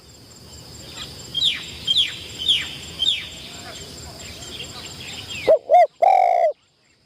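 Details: Spotted dove kept as a trapping decoy, first session in the enclosure: another bird's series of high, descending chirps is heard first, then the dove gives one clear low coo phrase of two short notes and a long held note.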